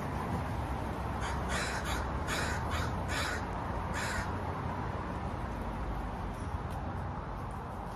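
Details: Crow calling a run of rough, repeated caws at an uneven pace, partly masked by constant low-pitched background noise.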